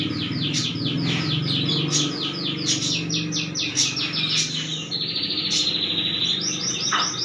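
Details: Canary in energetic full song, fast repeated chirping syllables for about five seconds, then a sustained buzzy high trill and a few sharp upslurred notes; faint low hum underneath.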